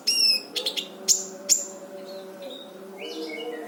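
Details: Brown-throated sunbird tutor song for training other birds: a high thin whistle, then a quick cluster of sharp chips and two piercing notes, fading into faint softer notes over a low hum.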